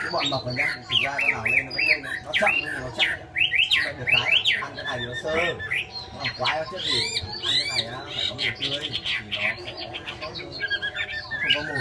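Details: Chinese hwamei in full song, a dense, continuous run of loud, varied whistles, slurred sweeps and rapid trills with hardly a pause, while a person's voice is faintly heard in the background.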